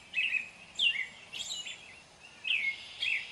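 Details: American robin caroling with quick whistled notes and some higher squeaky phrases, closely spaced, over a soft steady hiss.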